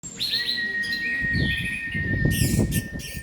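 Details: Orange-headed thrush singing after its moult: high chirpy notes with a long, steady, thin whistled tone running through, over low rumbling background noise.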